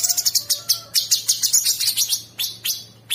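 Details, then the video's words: Sooty-headed bulbul delivering coarse, continuous 'ngebren' filler for masteran training. Quick, uneven high chips and buzzy slurred notes run together, with some faint lower whistled tones underneath. "Masteran Mewah Cucak Sungkok Buat Burung Jawara isian Kasar Ngebren Abis"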